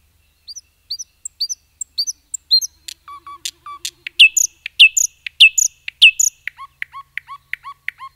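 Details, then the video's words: Common nightingale singing in a forest: high thin chirps at first, then low repeated notes and loud emphatic whistled phrases, ending in a run of quick rising notes, against an otherwise quiet background. "Nightingale song"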